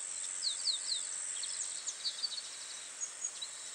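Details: Family group of masked water tyrants recorded at 09:55 on 24 December 2016 in Itatiba, São Paulo, Brazil, with a Panasonic HDC-HS80: short high descending chirps in quick series, over a steady high insect-like hiss.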